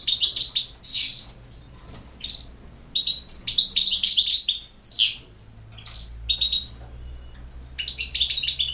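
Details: Lively, high twittering from a European goldfinch in repeated bursts of rapid notes with downslurred whistles and tinkles, alternating with pauses of about a second.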